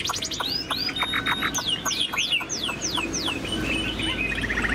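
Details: Caged tame Chinese hwamei singing ngũ trường style with tail spread: a string of descending whistled slurs repeated rapidly, mixed with buzzy trills over constant low noise.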